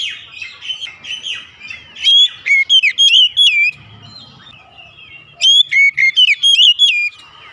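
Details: An Oriental magpie-robin sings in the morning, starting with softer warbled notes, then two loud bursts of quick, ringing whistles with a pause of about two seconds between them.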